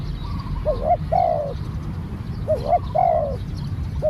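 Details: Newly trained spotted dove cooing: two clipped hoots and a longer descending coo, the phrase given twice with the start of a third, over constant low-pitched rumble.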